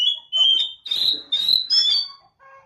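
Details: Calling song of an Oriental magpie-robin, meant to prompt other magpie-robins to reply: four loud bursts of sweet whistled notes, each about half a second, separated by brief pauses, with a faint lower note at the end.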